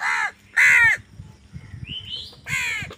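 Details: Crows squabbling over food: three loud, raspy caws, the second strongest, separated by a pause holding a thin, rising squeaky note and faint background rustle.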